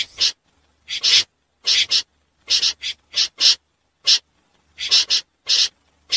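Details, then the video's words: Common snipe calling at night, used to draw birds into nets: widely spaced hoarse, scratchy notes, single or paired, with clean silence between each burst. "Tiếng dẽ giun lưới đêm"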